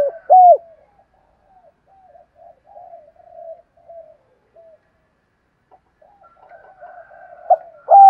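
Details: Spotted dove decoy calling wild birds in: two loud, bent coos at the start, a long stretch of quiet, wavering low cooing, and loud coos returning at the close.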